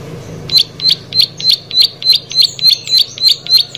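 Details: Plain prinia song beginning after a quiet half second, then a regular train of about thirteen high, buzzy clicking notes delivered several times per second.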